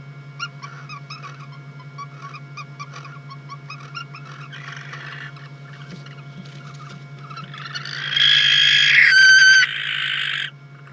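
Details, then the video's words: Barn owls at a nest in Catalonia, 19 August 2022, mating after the kestrels left; a series of short rasping calls, then a loud, long harsh hissing screech near the end, with a steady low hum throughout. "Barn Owl nookie!"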